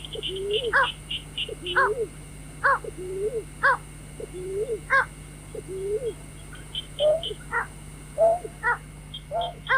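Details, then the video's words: White-breasted waterhen calls used to lure birds for trapping at night: a long rhythmic series of low swooping groans, each capped by a harsh squawk, later becoming more uneven, with high chirps and a steady hum behind. "tiếng chim vẽ Dung cuốc"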